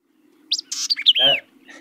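White-eyed Vireo giving one quick, emphatic song phrase of varied, high chips and slurred whistles, over a steady low hum.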